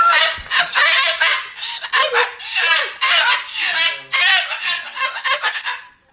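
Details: Loud, angry talking from a pet Moluccan cockatoo annoyed at its owner sleeping over: continuous strained, gravelly word-like phrases, rising and falling in short bursts roughly once a second.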